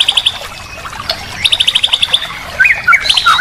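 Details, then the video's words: White-rumped shama song in a training recording meant to get a bird that has stopped singing to sing again: rapid high trills of short repeated notes, then a pause and a run of lower, varied whistled phrases. "Masteran Terapi murai batu mogok bunyi dijamin langsung bunyi lagi"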